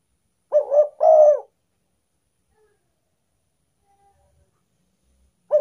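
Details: Spotted dove used as a lure to attract wild doves: a phrase of two quick coos followed by a longer drawn-out coo near 600, then silence, and the start of another phrase at the end.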